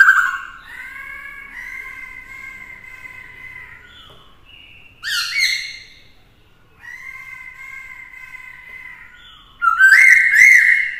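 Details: Black-throated laughingthrush singing in many voices to provoke rivals, with a female urging the male on; long steady whistled notes with harmonics, broken by short loud rising squawky bursts near five and ten seconds.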